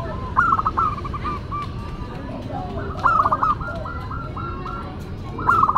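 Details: Local zebra dove singing actively in a classic, unusual style: three short cooing phrases about every 2.5 seconds, each a bright stuttered burst trailing into softer rolling coos, over steady low hum and faint background chatter.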